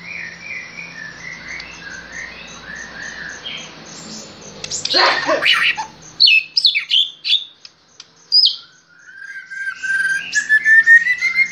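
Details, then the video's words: Murai batu (white-rumped shama), worked up by a lure recording, pouring out its repertoire: noisy, muffled start, then loud varied whistles, chips and sharp notes, and finally a rising drawn-out whistled phrase. "Murai batu ini bikin emosi dan bongkar isian seketika"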